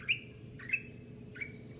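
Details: Bird singing in the early morning: clear whistled notes that slide down, about three in under two seconds, over a steady high insect-like hiss.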